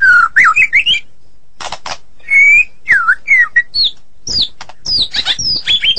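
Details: White-rumped shama from Medan singing vigorously. Quick wavering whistles and sharp rasps lead into fast, high, twisting notes and a dense jumble of whistles near the end.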